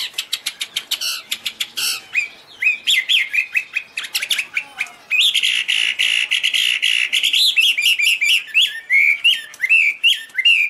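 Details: Loud, varied Chinese hwamei song: rapid harsh chattering notes first, then a long rich passage of whistled, warbling slurs and bent notes, continuous and energetic throughout.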